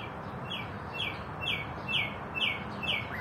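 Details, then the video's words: A common nightingale repeats a high, slurred, falling note about twice a second, six times in a row, over a steady low rumble. "bulbul hafizi"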